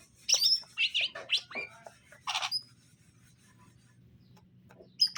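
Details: Greater green leafbird male and female in cages while being paired; loud, sharp chirps and squeaky notes in quick bursts over the first seconds, then near silence and one last high chirp.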